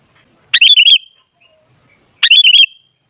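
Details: Sooty-headed bulbul singing, a recording meant as a lure to make bulbuls noisy: two quick bubbly, wavering phrases well apart, with silence between.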